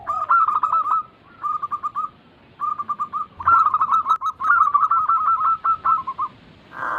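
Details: Zebra dove lure recording for hard-to-start birds: several brief cooing phrases, a gap, then a long rapid series of clipped coo notes, ending with a short noisy burst.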